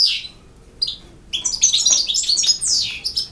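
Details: European goldfinch singing in the 'campero' song style, from Bosnia and Herzegovina: after a short opening note and pause, a rapid jumble of high, bright twittering and tinkling notes.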